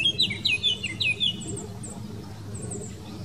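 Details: Eurasian blackcap in the Wittlich valley, Germany, 2018, gives a short phrase of loud, clear descending whistles in the first second, followed by faint high chirps and soft background rustle.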